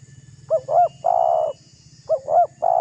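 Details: Spotted dove calling to goad a rival dove: two quick rising-falling notes followed by a drawn-out coo, given twice in under three seconds, with a low rhythmic hum beneath.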